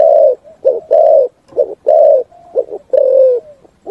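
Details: Spotted dove giving a full, resonant song in forest, a run of low husky coos alternating short notes with longer drawn-out coos, repeated steadily with brief gaps.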